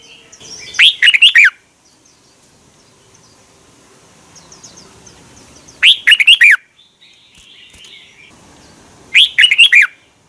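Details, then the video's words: Red-whiskered bulbul song from Thailand, played to get caged birds excited: three similar phrases of quick, looping whistled notes, spaced roughly four seconds apart over a faint background. "เสียงนกกรงหัวจุก สำหรับต่อ หรือ เปิดให้นกคึก เสียงเพราะๆ เสียงดีมาก เต็ม, chao mao"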